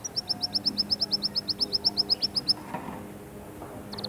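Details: Canary song played to push young birds into singing and to get females ready for breeding; a fast series of high, bright whistled notes, about eight a second, for two and a half seconds, then quieter scattered notes and a brief high trill.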